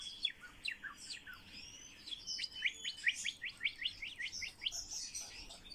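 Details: A common starling in talk training delivers sharp clicking chirps repeated about twice a second, mixed with short whistles and a faint rising squeal, against a quiet background.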